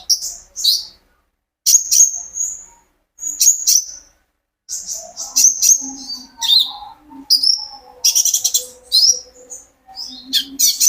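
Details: Olive-backed sunbird (konin), a captive songster played to coax other birds, delivers separated phrases of piercing high chirps and thin whistled notes, ending in a dense rapid chattering burst, with quiet gaps between phrases.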